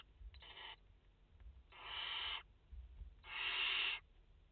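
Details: Barn owl mother with four chicks at the nest, filmed live in France on 30 August 2021; three harsh, breathy hissing bursts of rising length, the last two nearly a second long, over faint low thuds from the nest.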